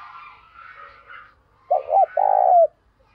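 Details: Decoy spotted dove calling wild doves in the morning: a loud phrase of two short hoots and one drawn-out vibrating coo ending in a downward slide, after faint chirping from other birds.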